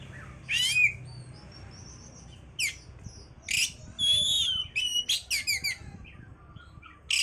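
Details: Oriental magpie-robin song to stimulate breeding condition: scattered buzzy bursts and a warbled whistle, then a quick series of repeated sharp notes, over a noisy low background hum.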